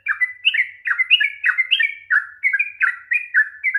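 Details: Rapid long song of a sooty-headed bulbul, played as a trigger for reluctant singers: tightly packed, liquid whistled notes, several slurred together in each phrase, pouring out without pause.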